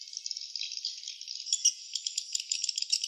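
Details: Swiftlet nest chatter: fine, rattling high chirps running continuously, with a few sharper clicks toward the end.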